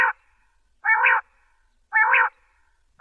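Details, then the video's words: Female common quail in Potohar, Punjab, Pakistan, in a quail-hunting context, giving short, nasal, harmonic notes, each under half a second, repeated about once a second with clean silence between. "Female Quail Sound || بٹیر کی اواز || مادی بٹیر کی اواز"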